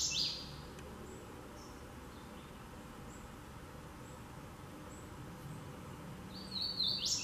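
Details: Hooded Warbler singing in Maryland: a bright, ringing whistled phrase opens and another closes the stretch, with faint high notes between and a steady outdoor hiss.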